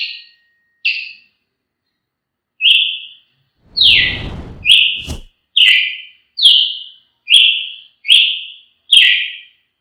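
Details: Brazilian tanager song of repeated clear whistled notes, each a short descending slur, given at a steady pace of a little over one per second, with a brief rustle and knock partway through.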